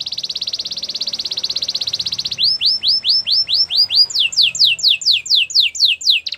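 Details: Gloster canary singing a fast, high rolling trill, then a run of swooping arched notes shifting into rhythmic descending whistled sweeps.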